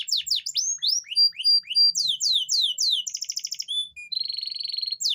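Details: Canary song for bringing females into mating condition: quick falling sweeps and short flat whistles, a rapid buzzy trill, then a sustained rolling trill, loud and continuous throughout.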